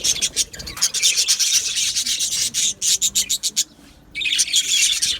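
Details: Australian budgerigar flock in an aviary, 12 July 2025, giving rapid bursts of raspy, high chattering that pulse about four times a second, then stop for half a second before resuming.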